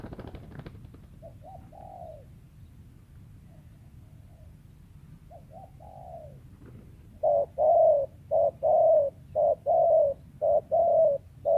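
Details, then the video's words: Wild spotted dove valued as a lure bird, said to sometimes stutter; quiet broken coo phrases, then a loud run of about nine rapid, evenly spaced short coos. "TEKUKUR LIAR SUARA IDAMAN PEMIKAT"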